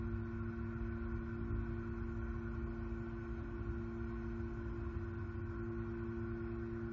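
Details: A constant engine-like drone with steady humming tones runs throughout, and no animal call breaks through.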